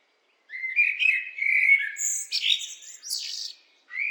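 A blackbird sings a mellow, fluty warbled phrase that ends in a high, squeaky twitter, followed by a brief fresh start; no other sounds.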